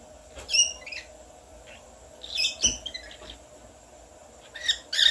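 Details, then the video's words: Pet parrot indoors imitating whistles and its owner's sneezing: brief high whistled notes and chirps, a sharp sneeze-like burst near the middle, then more squeaky whistles at the end in a quiet small room. "Lola imitating whistles and my sneezing"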